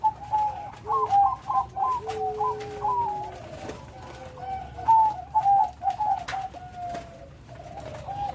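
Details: Zebra dove of the Bangkok type with a large voice and full rhythm. Rapid bubbling trills and a long, lower, steady coo are followed by a pause, then more short, purring coos.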